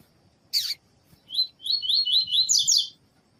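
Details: Double-collared seedeater (coleiro tui tui, Sporophila caerulescens), with a female calling, played to warm up males: one harsh buzzy note, then a quick run of bright, clipped whistles over about two seconds, with thin high ticks above.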